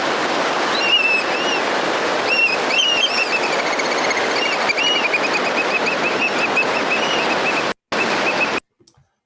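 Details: A Black Oystercatcher on the rocky Santa Barbara County coast, California, gives loud, piercing, rising-falling whistled peeps in quick bursts over steady roaring surf.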